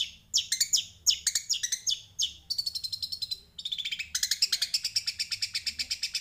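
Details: Sparrow singing: fast bursts of sharp high chirps and trills, steeply descending notes in the first half, then rapid repeated buzzy notes at about four per second, with a low hum underneath.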